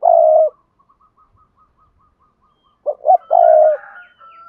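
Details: Spotted dove cooing to train newly caught doves to coo: a long low hoarse note, faint ticking notes, then a phrase of two quick notes and another long drawn coo.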